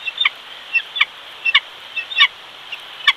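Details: Bald eagles at a nest in Big Bear, California, as the male brings a fish to feed the single chick: quick, high, piping chirps in short irregular bursts over steady background hiss.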